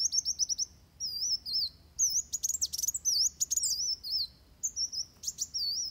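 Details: Training-model fighting song of a Van Hasselt's sunbird: rapid high ticking series opening, then sinuous whistled warbles interspersed with loud clicking bursts.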